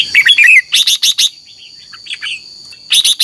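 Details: Red-whiskered bulbul in morning contest singing, a lure sound for training: a fast warbled phrase followed by sharp, bright repeated chirps, softer twittering notes, then another run of sharp chirps, over a thin constant whine.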